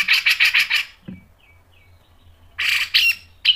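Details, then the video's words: Grey-cheeked bulbul tutor recording, styles mbeset, ngepik and nembak: a run of five rough, chattering notes, a quiet pause with faint thin sounds, then loud harsh bursts and a final sharp note. "MASTERAN CUCAK JENGGOT GACOR MBESET NGEPIK dan NEMBAK tajam | PANCINGAN CUCAK JENGGOT"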